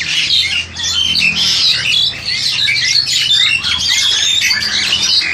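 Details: Crested myna about 7-8 months old, a captive bird ready for a breeding cage, recorded on an old Samsung Grand 2 phone; dense, harsh squawking chatter of overlapping high scratchy notes with short whistles, continuous throughout, faint room hum beneath.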